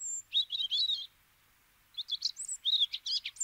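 Eurasian treecreeper giving thin, very high, hurried twittering notes in two bursts separated by a second of quiet.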